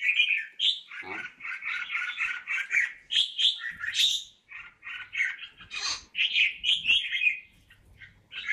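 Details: Red-whiskered bulbul in a cage, called a talented bird, pours out a rapid chattering warble of clipped, bubbling notes with occasional higher sharp accents, delivered in almost unbroken sequences.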